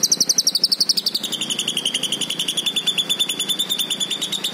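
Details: Green leafbird singing a continuous rapid trill of high notes, dropping to a lower pitch after about one second, then running steadily at that level to the end.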